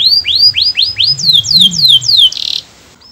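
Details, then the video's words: Canary song of loud upward-sweeping whistled notes repeated about three times a second, turning into falling slurs and ending in a short buzzy burst, with a low hum beneath. "Suara burung kenari bernyanyi merdu"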